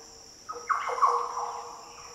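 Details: Green oriole in the Daintree rainforest of tropical northern Australia: a brief, deep, liquid phrase of slurred fluty notes that drop and then rise, set against a steady thin high insect hum.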